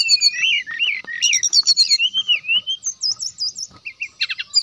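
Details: Brown-chested jungle flycatcher singing energetically (gacor, ngeplong style), used as a lure to stir other birds into song: fast varied whistled phrases, rising and falling slurs, then high looping notes and quick buzzy chips.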